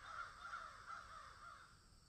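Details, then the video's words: Crow calling in a field shared with a swallow and an egret: a drawn-out, hoarse caw that wavers and fades over about two seconds, with steady background hiss. "Crows Swallow and Egret in field"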